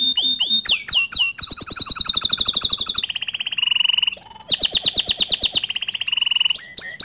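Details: Bottle-green canary singing as master song for young and unfinished canaries: rapid high trills and rolling tours, sharp rising whistles, buzzy repeated notes, and a steady lower chattering rattle, changing phrase every second or two.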